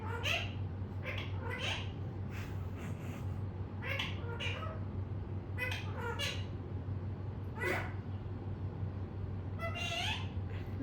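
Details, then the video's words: Pet parrot chattering in scattered, high, nasal speech-like syllables and sharp chirps, spaced irregularly across the recording, with a continuous low hum in the room. "Mittu Ne Bol Bol kar Pkaa Diya"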